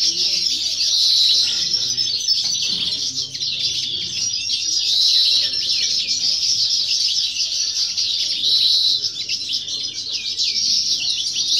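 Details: Competition song of a young European goldfinch from 2018 or 2019: long, unbroken bright twittering with tinkling phrases and brief buzzy notes, plus a low steady hum and soft voices.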